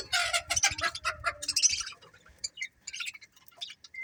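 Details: Budgerigars in a colony described as happy, giving dense, harsh, buzzy chatter in rapid bursts for the first two seconds, then sparser short chirps and squeaks with gaps between them.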